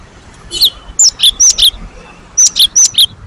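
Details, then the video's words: Great tit (gelatik batu wingko) lure song for prompting other birds to sing. Crisp high whistles alternate with lower buzzy slurred notes in two short bouts of about four notes each, over soft background hum. "SUARA BURUNG GELATIK ??? pancing bunyi"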